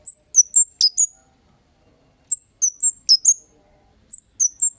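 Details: Kemade giving calls used as a lure for other birds to reply: three clean bursts of four or five piercing, high downslurred chirps separated by short silences.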